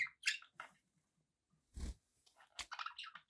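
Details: Pet budgerigars chirping indoors: bright, short chirps at the start, a dull thump midway, then a quick run of higher twittering notes.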